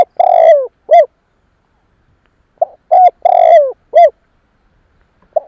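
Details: Spotted dove cooing to lure other doves: two phrases, each a loud long cooing note falling at its end followed by a short rounded coo, about two seconds apart, with a brief extra coo trailing, clean quiet background.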